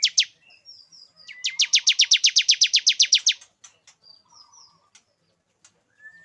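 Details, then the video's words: A male bar-winged prinia sings one rapid burst of about twenty high, downward-slurred chirps to bring a female into breeding condition, framed by scattered faint chirps and short whistles. "Suara pikat ciblek jantan agar betina cepat birahi"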